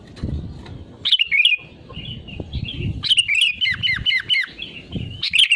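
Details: Sooty-headed bulbul in full song, used as a lure to prompt other bulbuls to sing: bright bubbly whistled phrases, a short burst then a longer run of quick liquid notes, over low rumbling background noise.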